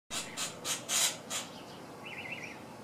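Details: Cactus wren scolding a cat under a tree while eating peanuts: a burst of five harsh, raspy churring notes, then a faint wavering high note over steady background hiss.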